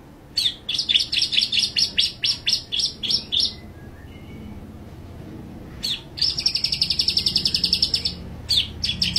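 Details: White-rumped shama in full tembakan song, firing fast trains of sharp, high chipping notes, several per second, in two long volleys with a quiet gap between them and a low background hum.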